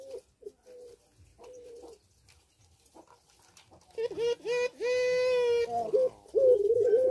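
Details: Caged puter pelung doves in breeding condition, Sukorejo, Situbondo: faint distant coos at first, then loud close coos alongside a harsh, richly layered call from another bird.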